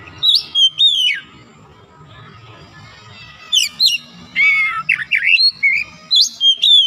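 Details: Oriental magpie-robin, a reluctant singer being restored to full song, mixes sharp downslurred whistles with scratchy, buzzy notes in uneven bursts, separated by a quiet gap of about two seconds.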